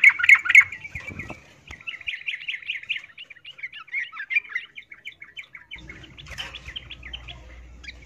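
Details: Female yellow-vented bulbul calling to a male while in breeding condition: a loud opening burst, then a long, steady run of quick chirping notes at an even pace that fades, with low rumbling noise at the end.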